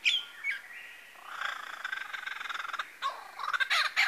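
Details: Male lyrebird in Kinglake National Park near Masons Falls imitating other birds, giving a harsh, fast rattling series over a noisy background, framed by short squawky calls.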